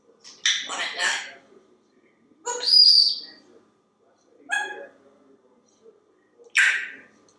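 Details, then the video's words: Talkative pet parrot in a home kitchen, waiting for dinner and happily talking about food, producing four separate spoken phrases roughly two seconds apart, clear and humanlike with strong high overtones, in a quiet room. "Evening chit-chat with Einstein"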